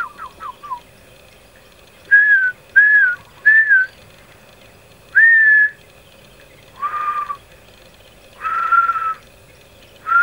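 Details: Lesser coucal at Lorong Halus gives clear, slurred whistled notes: a quick falling series first, then single or paired phrases every second or two over a faint steady hum. Background noise comes from a person trying to attract its attention.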